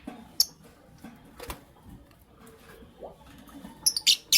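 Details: Creamino and Lutino Opaline lovebirds chirping indoors in the morning; isolated sharp clicks and high chirps are spread through the first half, then a rapid run of three or four shrill chirps closes the recording.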